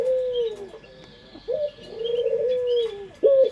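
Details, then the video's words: Pelung Barbary dove, a local Indonesian bird used as a lure. It produces a falling drawn coo, a quiet gap, then a sharp rising note and a long wavering hum ending in a short upward note. A soft high twittering continues behind it. "Pancingan Suara Burung Puter pelung paling dicari bersuara merdu"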